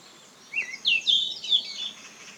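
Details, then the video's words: Yellow-rumped flycatcher singing on Hallasan: one rich warbled phrase of quick, sweeping, twittering whistles that rise in pitch, set against a low steady background hiss. "한라산 흰눈썹황금새 울음소리"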